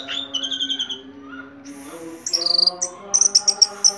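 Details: Orange-headed thrush with a ring, singing vigorously: a trilled high whistle, then rapid pulsed high notes repeated in quick bursts, over a steady low humming tone.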